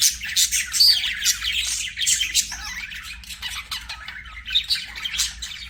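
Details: Budgerigars singing during play: a rambling mix of chirps, squeaky whistles and grating chatter, loudest at the start and softer later, with a few clear high squeaks.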